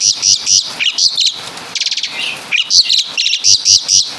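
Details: Asian pied starling from Java singing copied calls of other birds: high chirps in pairs, a quick trilled burst in the middle, then more high, spaced chirps.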